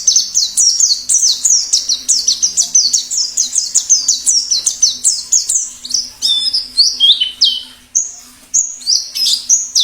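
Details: Wild white-eye, plengi ngalas song for tutoring captive birds and trapping wild ones: a fast, unbroken run of high descending chirps, turning into more varied, jumping notes near the end, with a faint hum.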